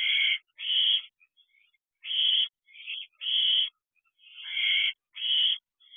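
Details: Barn owl owlet in a nest box, with a large rodent at 10:39 pm on 14 June 2023; harsh, hissing screeches repeated roughly every second, broadband bursts with short gaps, no other sounds.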